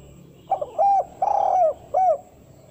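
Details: Spotted dove luring call, meant to draw in wild doves and prompt them to answer: a short broken opening, then three rounded coos with a long central one, against a noticeable low background noise.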